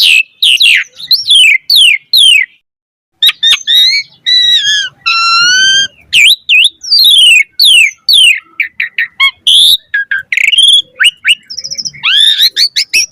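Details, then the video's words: Lively Asian pied starling lure song full of varied fill-in phrases, a fast run of swooping whistles, a short pause, then drawn-out harmonic tones, buzzy notes and rapid clipped chirps. "Pancingan Jalak Suren Gacor Mompa Variasi Suara Burung Kicau Cepat NYAUT Gacor Full Isian Mewah"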